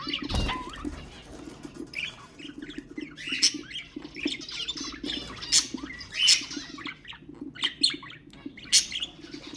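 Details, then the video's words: Pet budgerigars heard in sounds for stimulating birds: scratchy squawks and rising chirps scattered over a constant low hum, with a loud thump near the start. "اقوى أصوات طيور البادجي طيور الزينة أصوات تحفيز الطيور"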